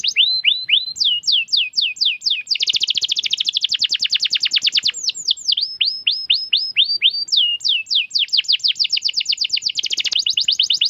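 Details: Canary sings a varied long song: falling whistled notes in series, dense rapid rolls, more descending sweeps, and another sustained trill, all loud and clear.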